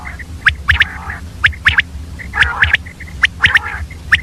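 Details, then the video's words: A female common quail calls at dawn with grouped staccato chirps and short whistled notes, bursts arriving about once a second against a low steady rumble. "Common Quail Calling Early morning , Female Batair Ki Awaz"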